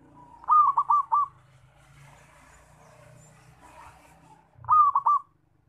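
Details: A zebra dove's loud lure call for bird trapping: two bursts of four rapid, throbbing coo notes, about four seconds apart, over a low background rumble.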